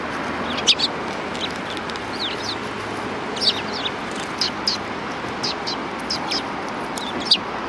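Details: Groups of sparrows near a Tenmangu shrine in December 2019 give thin, scattered high chirps and short twitters against a steady wash of outdoor noise.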